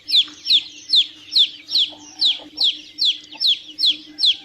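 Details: Young chickens giving loud, shrill falling peeps at a brisk regular pace, roughly two each second, with a soft low hum in the background.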